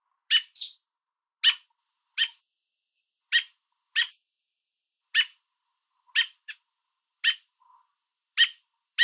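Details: Adult American robin on a fence with food in its beak, calling to its fledgling and urging a nearby person to back off; loud, sharp, clipped calls repeated roughly every second, with a faint thin note near the end.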